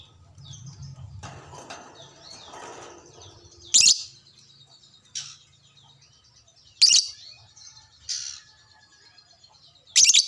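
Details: A lovebird responds to another lovebird with scratchy high chattering, punctuated by four loud, shrill squeaks spaced a couple of seconds apart.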